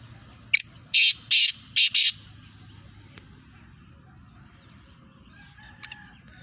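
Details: Black francolin female voice: one short sharp note, then four loud rasping bursts packed into about a second, followed by quiet with a couple of faint clicks.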